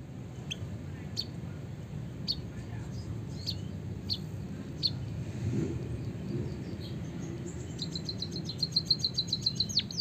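White-headed munia: thin, high chirps spaced about a second apart, then a fast run of sharp repeated notes, over a steady low rumble.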